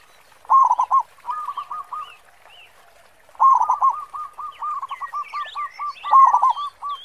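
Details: Local zebra dove with a big 'khong' voice, sung as a lure: quick stuttering coos, then a long rolling run of evenly repeated hooked notes, with other small birds chirping and whistling in the background.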